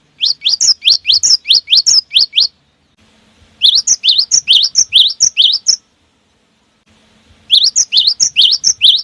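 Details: Cinereous tit singing, played to draw other birds into song: three bursts of rapid, high, rising chirped whistles, each about ten notes, separated by short pauses with a faint low hum.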